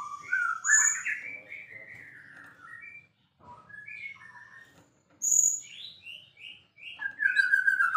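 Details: White-rumped shama in full song, a varied run of loud whistled phrases, some rising and some falling, with sharp high notes and brief pauses between bursts.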